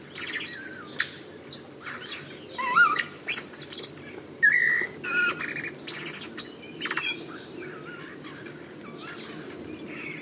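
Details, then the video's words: Common blackbird singing outdoors: varied fluty, warbled phrases mixed with higher twittering notes, delivered in bursts with short gaps, over a steady background of distant birdsong. "Vogelstimmen: Die Amsel - Common blackbird - Turdus merula"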